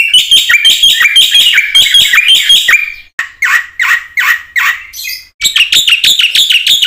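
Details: Lure song of a black-winged myna for training other mynas, mixing fast scratchy chatter with harsher descending squawk-like notes in the middle and a brisk chattering burst at the end.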